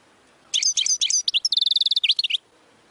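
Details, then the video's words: European goldfinch song: a quick jumble of liquid twittering notes running into a rapid, evenly repeated metallic trill, then a few upslurred chirps, about two seconds long. "Make Your Birds Learn This European Goldfinch Singing"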